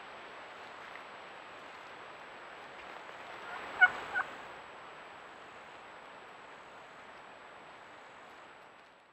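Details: In spring in Florida, a male wild turkey (gobbler) gives a brief, rattling courtship gobble to attract hens, in two quick bursts midway through, over a steady hiss of wind or distant noise.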